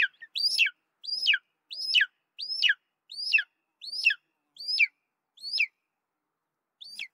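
Golden eagle giving about nine thin, high yelping notes, each rising sharply then sliding down, repeated roughly every 0.7 seconds in a steady series.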